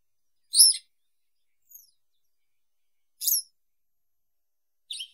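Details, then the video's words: Western yellow wagtail song: short, high, sharp chirps repeated every couple of seconds with a faint soft note between them, on a silent background. "Как поёт Трясогузка жёлтая (Motacilla flava)"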